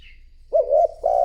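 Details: Brief, soft, low-pitched coos from a decoy spotted dove luring wild doves: a wavering note, then the start of a steadier sustained coo.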